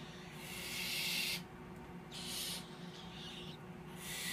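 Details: Three young tropical screech owls, hatched on 6 and 7 March 2014 and kept in captivity, produce steady rasping hisses in repeated bursts, separated by short quiet gaps.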